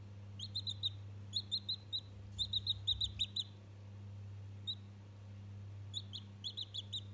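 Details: Day-old chicken chick chattering at a toy, giving clustered runs of sharp high-pitched peeps, a brief quiet stretch, then more rapid peep groups; constant low hum behind.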